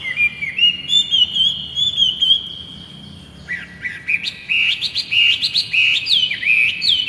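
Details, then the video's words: Vigorous song of a captive laughingthrush (poksay hongkong) used to train other birds: level whistled phrases give way to loud, swooping, repeated whistles. "MASTERAN BURUNG POKSAY GACOR"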